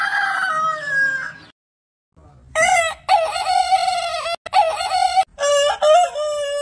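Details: Crowing roosters from a compilation of heritage breeds: a falling crow ends, then after a pause a loud harmonic crow in several bursts, steady and slightly wavering, broken by short gaps.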